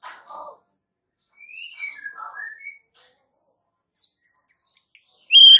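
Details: White-rumped shama training song intended to draw a reply: scattered gliding whistles, then five sharp, evenly spaced high notes and a loud final whistle.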